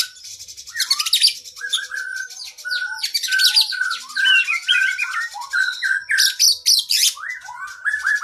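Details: Cage-bird training recording of an oriental magpie-robin singing loudly with long fill-in phrases. Busy, varied song of downslurred whistles and chattering notes tumbling quickly, with harsh bright bursts near the end.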